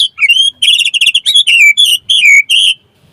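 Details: Loud, rich song of a white-rumped shama, played to make others respond: a continuous string of clear high whistles and warbled notes with only short gaps.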